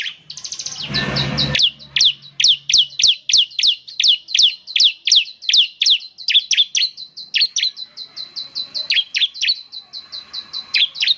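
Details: Bar-winged prinia in full song, said to prompt other birds of its kind to sing back; a rapid series of sharp, high downslurred chip notes, about three per second, repeated steadily, after a brief loud handling noise at the start.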